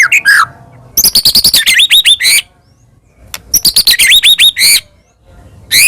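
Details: White-rumped shama in full song, used as a lure to provoke other shamas into singing: loud bursts of sharp clicking notes followed by rising slurred whistles, repeated in two phrases separated by short silences.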